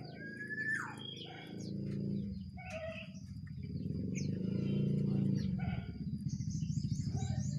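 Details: Wild jongkangan versus two caged jongkangan in a song contest: scattered short slurred whistles and quick chirps, one sweeping down early, spaced irregularly over a loud continuous low rumble.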